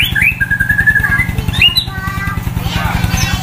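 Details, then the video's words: White-rumped shama (murai batu) sunned at a roadside, giving a few whistled notes and a sustained warbled phrase over a strong, steady low engine-like throb that dominates the background. "Buat emosi naik murai batu jemur di jalan raya // suara mewah banyak isian auto keluar"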